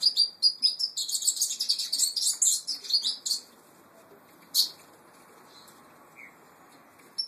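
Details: Brown Peruvian canary singing a rapid, high-pitched twittering song of dense trills and chirps for about three seconds, then falling quiet apart from a few isolated sharp notes.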